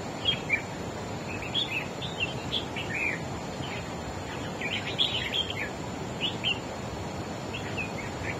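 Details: Wild-caught red-whiskered bulbul singing against a rival bird and dominating it: scattered groups of sharp whistled chirps and short warbled phrases, separated by gaps, over steady background noise.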